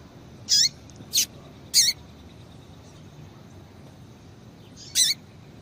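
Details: Female double-collared seedeater, its call used to get males singing: three sharp high chirps in quick succession, a pause of about three seconds, then one more.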